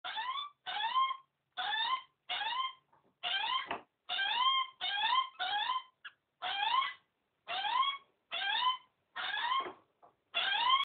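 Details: Hungry hand-raised baby magpie, kept until it is released when fully grown, begging with about seventeen harsh, rising, squealing calls in rapid series, roughly one or two per second, indoors and with no other sounds.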